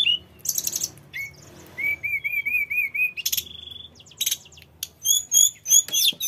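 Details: Mountain flycatcher (tledekan gunung) in full, rolling song, used as a lure for other birds: varied sharp chirps, a run of six rising whistled notes, a steady whistle, then high squeaky phrases and buzzy bursts.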